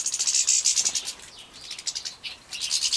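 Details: Bred young European goldfinches being fed, Poland, 2017: rapid, pulsed, very high buzzy notes in a loud burst, a brief softer gap, then the shrill pulsing returns.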